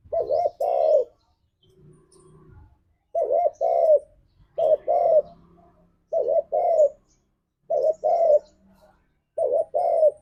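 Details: Spotted dove in the spirited 'ngalas' style meant to lure a caged dove into singing: six steady cooing phrases, each a short looped note then a longer descending one, spaced about one and a half seconds apart, with soft low murmurs between.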